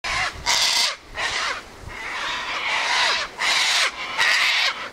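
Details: Sulphur-crested cockatoos gathering at a favourite spot: loud, harsh, grating screeches in long drawn bursts, roughly one per second, overlapping with other squawks from the group.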